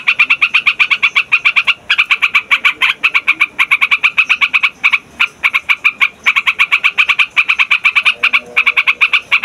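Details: Loud yellow-vented bulbul played to attract wild birds and stir young males and females to sing: dense, nearly continuous runs of sharp, rattling notes with short gaps, steady in pitch throughout.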